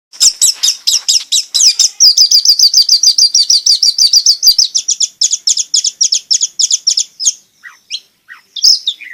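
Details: Long-tailed shrike in energetic gacor song, used to coax quiet shrikes into singing: dense run of high, sharp chirps repeated over three times a second, becoming a steady rapid trill mid-way, then scattered squeaky notes.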